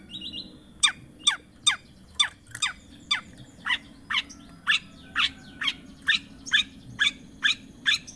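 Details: Lure track of a long-tailed shrike for a bird that will not sing: harsh, buzzy descending notes repeated at an even pace, a little over two per second, against low background hum.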